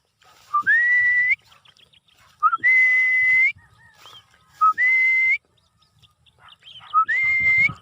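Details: Cockatiel during free flight repeating a whistled call four times, each a short low note jumping into a long, slightly rising sustained whistle, about every two seconds.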